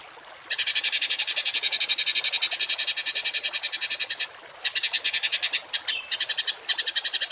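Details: Songbird delivering rough 'tembakan kasar' masteran phrases meant for training cage and contest birds. A long grating trill of fast, even pulses lasts nearly four seconds, followed by shorter broken bursts.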